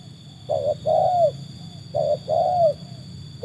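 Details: Trained spotted dove cooing in two measured phrases, each a short hooted note leading into a longer, smooth, slightly drooping coo, with quiet gaps and a faint constant hum.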